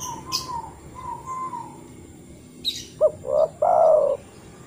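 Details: Spotted dove lure call for making other doves sing: faint, level whistly notes and sharp high chirps from another bird at first, then one clear phrase of two short notes and a long drawn-out coo.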